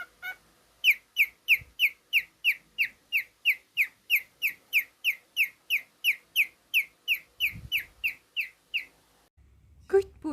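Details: A pet male cockatiel gives a fast, even series of about twenty-five sharp, downward-sliding chirps, roughly three each second, ending with a short burst of low rumbling noise.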